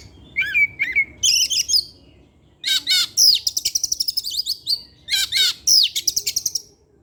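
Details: Vigorous evening song of a caged Oriental magpie-robin: low whistled notes followed by a rapid rattling trill of repeated buzzy chirps, then more loud complex whistled phrases, nearly continuous.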